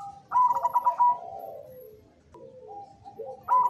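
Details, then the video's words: Zebra dove of the black cemani variety singing (manggung): a quick burst of rapid, bubbling pulsed coos on one pitch, followed by lower, drawn-out sliding notes that trail off, then the pulsed phrase begins again at the end. "Suara Merdu Perkutut Cemani Manggung"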